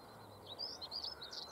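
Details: Brief scratchy warble from a singing Stonechat at dawn, 22 March 2015, Cavenham Heath, Suffolk, UK: a quick string of high twittering notes over faint low background hum.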